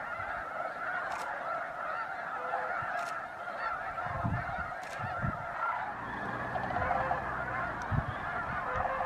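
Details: A huge flock of snow geese honking at Bosque del Apache National Wildlife Refuge in December at dawn or dusk; constant layered nasal calls, occasional sharp knocks, and low thumps or rumbles in the background.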